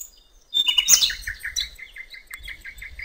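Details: Common nightingale singing in the wild by a river: a loud rich burst, then a steady series of about a dozen short, evenly spaced piping notes.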